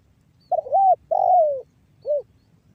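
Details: Spotted dove giving a banggo bocor style call, used as a lure to get other doves calling. Three coo notes at mid pitch: a double-humped first note, a longer falling second one, then a short rounded final coo. A faint low rumble sits underneath.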